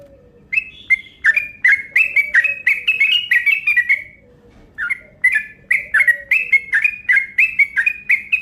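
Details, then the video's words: Quick chattering lure call of a yellow-vented bulbul. Loud bubbly chirps tumble out in fast series, pause briefly near the middle, then resume, with a faint low drone behind. "Panggilan Burung Trucuk Ropel Panjang Gacor Cepat Bikin Emosi"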